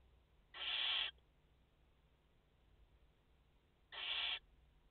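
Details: Barn owls at a nest in France, a mother with four chicks, 30 August 2021: two harsh, hissing screeches about half a second each, spaced roughly three seconds apart, over quiet background hum.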